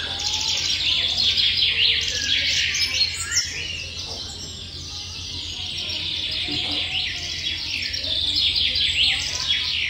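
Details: Nestling small birds waiting for food: a continuous dense chorus of high, thin, rising and falling cheeps from several chicks, overlapping without pause, over a steady low hum.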